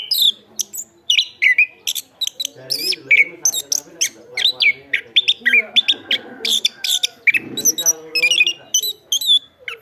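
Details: Loud, continuous song of a chestnut-capped thrush: varied whistled slurs, chirps and high ticking bursts tumble on for about ten seconds with hardly any gaps.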